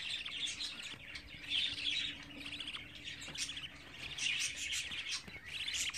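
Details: Budgerigar chicks, 24 days old, kept as pets: raspy, buzzy chirping bursts repeated irregularly, some louder peaks around the middle, with a faint steady low hum underneath.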